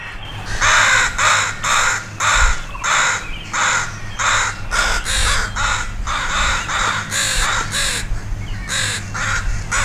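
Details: Crows mobbing a dog, parents alarmed near two juvenile crows learning to fly, with a large group joining an aerial attack; harsh, hoarse caws in a rapid series about twice a second, several birds overlapping, over a steady low rumble.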